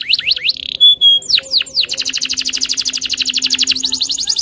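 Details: Loper canary, riled up and challenging an opponent to sing, gives a few looping whistles and a buzzy note, a pure whistled tone, then a very fast even trill of high clipped notes.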